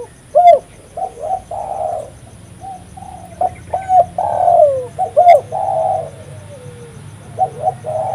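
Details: Spotted dove in full voice, played to attract wild doves: a run of soft, hollow coos in groups of two or three, the longer notes gliding downward, with pauses between phrases and a faint steady hum behind.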